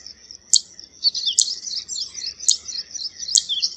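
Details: Zitting cisticola giving four sharp, high ticking notes about 0.9 seconds apart, with a softer high twittering chatter running between them.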